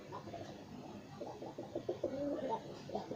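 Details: Several kept pigeons cooing in a small room, a run of low, rolling, throaty coo notes packed closely together, growing fuller toward the end, with faint background murmur.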